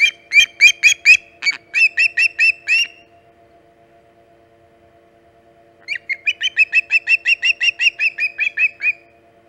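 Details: Early-morning osprey at the Hog Island nest, 13 August 2019, arriving at 5:37 am EDT. Gives two long bursts of rapid, shrill, whistled chirps, several per second, separated by roughly three seconds of quiet.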